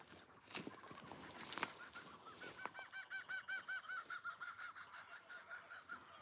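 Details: A kookaburra calls in the Victorian bush, Australia, in the early morning during bushfire season. Its rolling chuckle runs in the background, rapid harsh repeated notes about two or three a second, after nearby clicks and handling noises at a bee yard.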